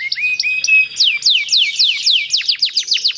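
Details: A canary sings a long, rolling song, used as a lure to prompt other canaries to sing. It opens with short high whistled notes, then a fast run of downward-sweeping trilled notes, about four per second, all high-pitched.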